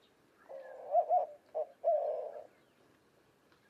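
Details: White-winged dove cooing: a low, hooting phrase of a long breathy coo with two quick accented notes, a short separate note, then a long drawn coo, all in about two seconds over a quiet background.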